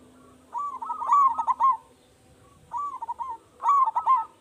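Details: Local Indonesian zebra dove, a frequent singer with a big voice, used as a lure to set other doves singing: three bubbling cooing phrases, the first long and loud, followed by two shorter ones, with quiet background.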